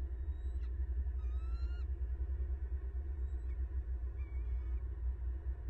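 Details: Florida nest camera captures a bald eagle pair, the male arriving with a fish for his mate, December 2021: a single rising, squealing piped note, then a few faint thin whistles, against a droning low hum.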